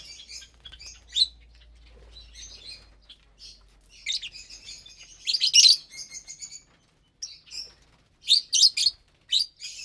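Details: Several captive lovebirds eating a morning meal of vegetables and millet mix; scattered high twitters build into loud overlapping shrill chirps midway, then sharp clustered squeaks near the end.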